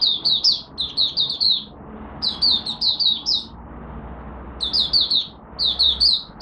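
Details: Morning warm-up singing from a caged oriental white-eye of Malaysia: three rapid bursts of bright, high, downward-sliding notes with gaps of a second or more between them, over a soft rumbling background.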